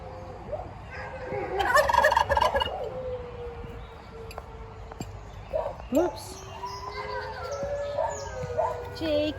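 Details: Domestic turkey giving one rapid, rattling gobble of about a second as dogs howl; owner thinks the turkey gobbles when the dogs howl. Long drawn-out dog howls beneath, brief human speech.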